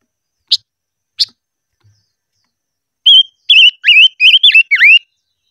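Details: Silver-eared mesia in voice training, ché-style singing: two isolated sharp chip notes, then a rapid string of bright whistled notes with wavering, dipping inflections, the last ones swooping down and back up.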